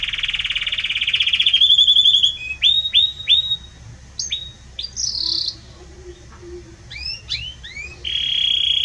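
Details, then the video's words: Belgian canary singing loudly and warmly: a sustained buzzy trill opening, then a varied series of short rising and falling whistled notes, finishing with another steady high trill. "Canto forte e muito quente deste Espetacular Canário Belga | Canary Singing"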